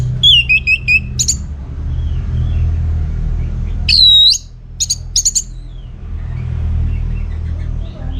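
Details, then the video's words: Orange-headed thrush in full song, used to draw replies from other birds: clear whistled notes falling and slurring, then a looping whistle and quick sharp chips, separated by a pause with constant low rumble behind. "Putar Kicauan ANIS MERAH Gacor Ini dijamin Pasti Ikut Nyaut"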